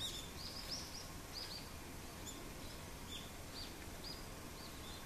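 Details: A flock of brown-eared bulbuls feeds noisily on Idesia berries. A lively run of high, arched, slurred notes repeats irregularly, about one or two each second, over a constant hiss of outdoor noise.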